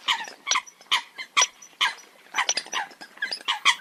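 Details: Eurasian coot flock sending out rapid, harsh barking honks, about two per second, loud notes standing out from a crowd of fainter callers.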